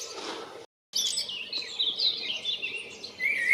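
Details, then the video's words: A common blackbird on 28 February, calling to attract a mate, gives thin, high twittering phrases with scratchy chirps after a brief burst of rustling background noise. "Black bird calling for a mate - שחרור בקריאות לחפס בת זוג"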